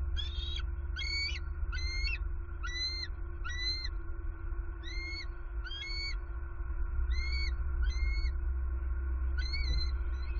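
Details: Wild bald eagle at its Southwest Florida nest, 23 November 2020, with the male delivering opossum prey. A long run of high, squeaky, chittering notes comes in irregular bursts, about two or three a second, over a steady hum.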